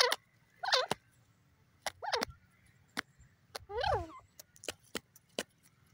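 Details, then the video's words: A partridge (teetar) gives harsh, wavering calls in three bursts a second or so apart, with sharp clicking knocks in between. "partridge awaz"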